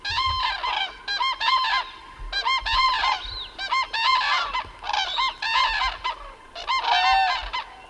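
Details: Wintering Common Cranes at a night roost, standing with their feet in water at the Tablas de Daimiel, call through the night in loud, rolling trumpeting bursts, many voices overlapping in irregular volleys every second or two.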